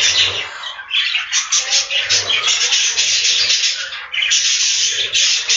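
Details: Budgerigars crowded in a breeding room keep up a constant, shrill chorus of overlapping chirps and squawks, with a low hum beneath the din.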